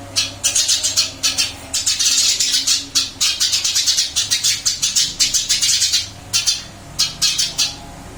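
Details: Caged Eurasian tree sparrow, recently moved to a new cage, still singing busily indoors: dense runs of sharp, high chirps in quick bursts, nearly continuous with brief pauses, and a faint low hum underneath.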